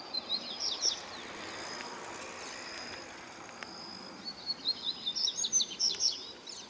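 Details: Male double-collared seedeater song: two bursts of quick, high, twittering notes separated by a quiet pause, over a steady background hiss.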